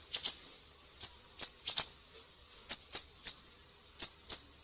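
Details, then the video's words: Lively siri-siri song, recorded to train caged songbirds: high, piercing chirps in pairs and small groups of two or three, separated by short gaps. "Masteran burung siri-siri GACOR"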